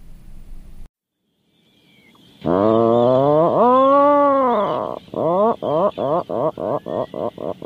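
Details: Atlantic puffin uttering a low, creaking moan that dips and rises over two seconds, then breaking into rapid, evenly spaced short grunts, roughly four each second, slowly weakening; faint rumble precedes the call.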